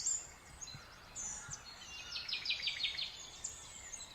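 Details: Spring songbird chorus outdoors in nature: bright high chirps, then a fast run of sharp descending notes repeated in a rapid trill near the middle, other birds twittering faintly behind.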